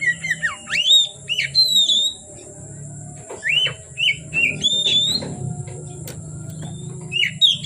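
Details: Oriental magpie-robin singing from afternoon until dark: loud whistled notes, slurred rises and falls and sharp chips in varied phrases with short pauses, over a steady low hum and a constant high whine.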